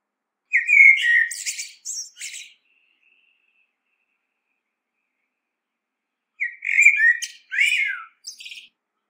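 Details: Common blackbird delivering two song phrases about six seconds apart, each a rich whistled opening followed by scratchy high twitters and a short trailing note.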